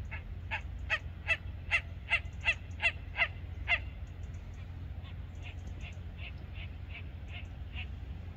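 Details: Great crested grebe in winter plumage at Lake Benaco (Garda), Trentino, giving its call: a rapid series of harsh, nasal honking notes over a low rumble.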